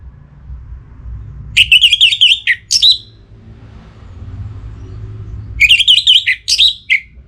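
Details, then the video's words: Orange-headed thrush in breeding condition calling a rival, northern Bali, Singaraja: two dense bursts of rapid, scratchy warbled whistles, each about a second and a half long and four seconds apart, over a low rumbling background. "Akhirnya Bunyi Juga ANIS MERAH Gacor Pancingan Birahi & EMosi Burung || Kicau memanggil lawan"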